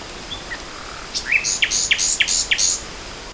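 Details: Nightingale song, spring 2014: a couple of soft high whistles, then a rising phrase of sharp, emphatic notes repeated roughly every third of a second, ringing and bright against a quiet background.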